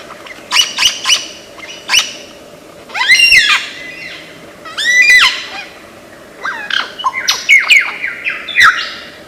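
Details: Lyrebird from Australian forest, known for copying many sounds, delivering clustered squeaky notes with arched, looping phrases around three and five seconds, then rapid bright chips toward the end over a steady low hum.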